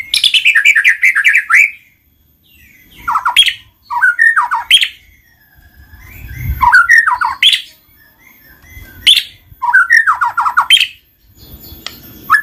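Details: White-rumped shama song intended to make lazy shamas sing: repeated bursts of rapid chattering and slurred whistles, each lasting about a second, separated by short silences, with a faint low rumble in the background.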